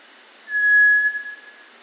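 A Cinereous Tinamou gives a single pure, steady whistled note at mid pitch, lasting about half a second and fading gently at the end, over a faint background hiss.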